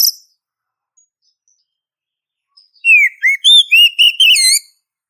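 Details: Oriental magpie-robin female calling for a male. After a near-silent stretch comes a lively burst of looping, wavering whistles and quick chirps lasting about two seconds.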